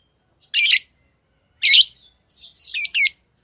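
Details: Pet lovebirds giving three shrill, raspy chirps about a second apart, the last one doubled, with faint softer twitter between them.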